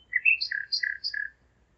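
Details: A common nightingale in Zeitz, Germany sings at 01:55 on 5 May 2017, giving a short phrase of three paired notes, each a low fluty tone followed by a higher one, repeated in quick succession.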